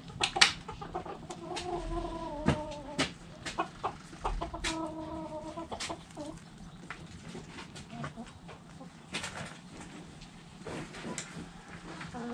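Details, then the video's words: Backyard chickens, hens clucking: short repeated clucks mixed with drawn-out harmonic calls rising and falling, several birds calling over each other with irregular spacing and low background rumble. "Hens Clucking Roosters Crowing"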